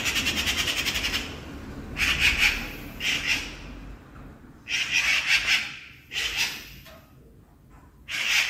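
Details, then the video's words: Magpie chattering at night, described as a warning call: harsh, rattling bursts of rapid clicking notes, each about a second long, repeated in irregular groups with short pauses between. "Magpie Chattering at Night"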